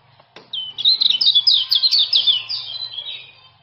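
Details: Male common iora from Lombok giving fast ciak ciak chatter, used to tutor and lure silent irioras into singing: one sharp click, then a dense run of rapid high twittering notes that swells and slowly fades.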